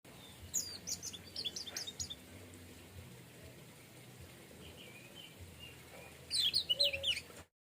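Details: Orange-headed thrush, locally anis merah or punglor, singing in a relaxed plong style; quick bursts of high, sharp chirping notes early on, softer mid-pitched notes in the middle, then a loud scratchy burst near the end over steady low hum.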